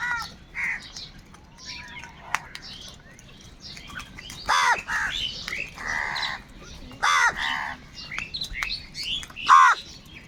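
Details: Crows in large numbers squabbling over food: scattered harsh caws build into bursts of loud, grating calls near the middle and end, with fainter chattering crows throughout.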